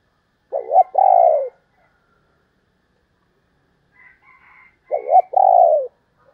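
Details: Female spotted dove cooing: two low hoarse phrases about four seconds apart, each a short double note followed by a longer falling coo, with faint higher thin notes from another bird between them.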